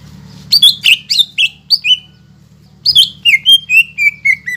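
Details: Rousing greater green leafbird song aimed at making silent leafbirds sing; loud, sharp chirps, a pause of about a second, then a neat series of whistles stepping steadily down in pitch, with a low hum in the background.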